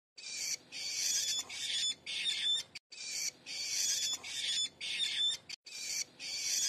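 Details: Common shrike chicks being hand-reared and fed mealworms, giving loud harsh rasping begging calls in long bursts of about a second, separated by brief silences.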